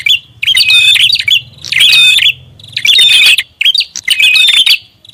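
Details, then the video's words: Noisy prinia lure call: four loud clusters of sharp, high chirps and buzzy twitters, each under a second long, about a second apart, with a low hum between them. "SUARA PIKAT BURUNG PRINJAK ATAS RIBUT"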